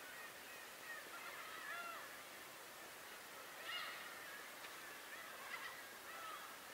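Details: Birds on Tobishima give scattered harsh, nasal cries and short bursts, several voices overlapping, with a steady hiss of wind or water behind.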